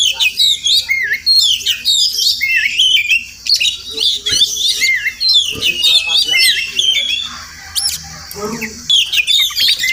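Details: Oriental magpie-robin, a wild bird that comes to a house every morning and may be nesting close by, gives a long varied song of bright whistles, warbles and harsh notes, pausing briefly before a final burst.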